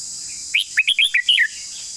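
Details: A Red-whiskered bulbul delivers a crisp phrase of five or six clear, rising and falling whistled notes in quick succession, part of a long song, over faint steady hiss.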